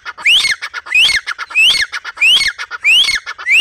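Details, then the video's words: Black francolin call: loud rasping bursts, each with a rising whistled slur, repeated about every half second with steady rhythm. "teetar ki awaaz | teetar sound | teetar voice | teetar awaz"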